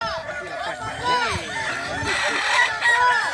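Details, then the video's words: Kukuak balenggek roosters at a crowing contest at Sirukam dairy farm, Solok regency: several long, arching crows overlap, rising and falling in stepped notes, over a constant crowd murmur. "Lomba ayam kukuak balenggek"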